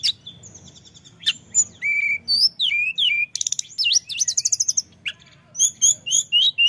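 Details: Male orange-headed thrush used as a lure bird, singing nonstop: a varied run of clear whistles, sharp slurred notes and fast stuttering trills, with bright high phrases changing every second or so and brief pauses between bursts.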